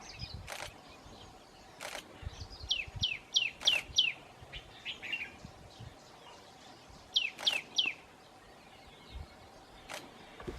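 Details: Tailorbird calling in the Himalayan foothills at Rishikesh, India: short series of sharp, downward-slurred high notes repeated in quick runs of four, with pauses between runs, plus occasional clicks in the background.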